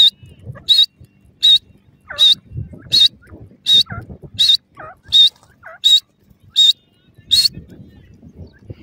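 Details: Grey francolin calling: sharp, high, clipped notes with a thin whistled core, repeated steadily about every 0.75 seconds over faint low rumbling background noise, with a few softer lower chirps between the calls.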